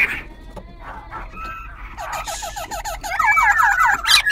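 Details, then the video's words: Semi-tamed wild-caught Black-throated Laughingthrush, caged in Bình Chánh, Ho Chi Minh City, singing with a dancing display. Quiet scattered notes at first, then building rapid warbled and whistled phrases that grow louder toward the end. "Khướu Bạc Má Bổi Lỡ Hót Múa Đuôi Cánh Đảo Giọng Liên Tục"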